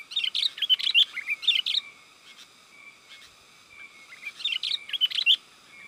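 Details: Sooty-headed bulbul lure call, used to draw wild bulbuls in the forest and to tutor caged birds at home: two bursts of quick, bubbly chirped notes, the first near the start and the second near the end, separated by a pause with a faint steady high hum.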